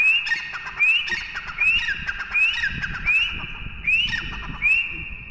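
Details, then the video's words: A partridge (teetar) gives loud, harsh, high calls, each a quick rising note then a held ringing tone, repeated roughly every second in a steady series. "teetar ki awaaz"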